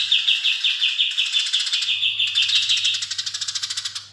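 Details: Eurasian tree sparrow singing vigorously with long chirping: a steady train of bright, sharp chirps that speeds up toward the end into a rapid rattle-like burst, a faint low hum beneath.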